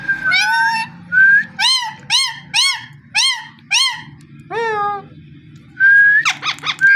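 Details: Parrot producing a run of about six arched, harmonic yelps spaced roughly half a second apart, framed by level whistles and ending in a quick jumble of high notes. Low hum in the background.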